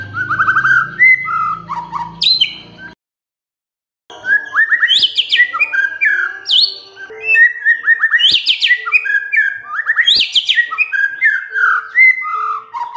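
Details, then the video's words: White-rumped shama song intended as a provocation for silent birds: long bouts of loud, varied whistles, chattery notes and sweeping upslurs, with a one-second pause and a low hum early on. "MURAI BENGONG LEWATTT❗Pasti NYAUT Dengar Pancingan ini"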